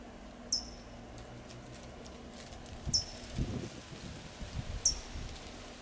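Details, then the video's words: California towhee giving sharp, thin tsip calls in Del Monte Forest, California: three high, short, downslurred chips spaced about two seconds apart, over low rustling and thudding background noise. "California Towhee’s Call"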